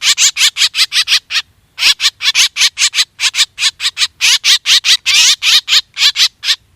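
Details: Black drongo, used as a lure for hunting: a dense run of loud, grating notes repeated quickly, broken by one short gap, some notes drawn out and more strained.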